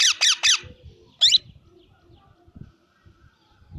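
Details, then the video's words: A pet plum-headed parakeet gives three quick, shrill squeaky notes in a row, then a fourth after a short pause, over faint low room noise. "Parrot Cute Voice | Plum Headed Parrot Sound | सबसे प्यारा तोता"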